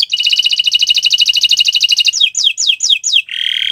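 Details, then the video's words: Canary song on a Friday morning: a long, rapid, even trill of doubled high notes, then five sweeping downslurred whistles and a closing buzzy churr. "Gacoran Burung Kenari di Jumat pagi"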